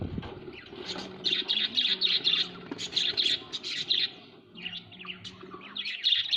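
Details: Budgerigars kept at home, a flock giving dense, rapid chirping and chattering warbles in bursts, with short pauses between volleys and a faint low hum beneath.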